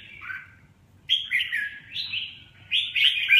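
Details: Red-whiskered bulbul singing: a brief slurred phrase, a pause, then bright warbled whistles rising and falling, ending in a loud chirpy flourish, over low background rumble.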